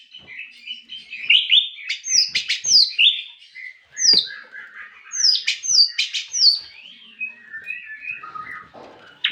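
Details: White-rumped shama song, loud and close: varied clear whistles and sweeping slurred notes, mixed with sharp downward-sliding high phrases and short clicks. Bursts come in rapid runs with short pauses between them.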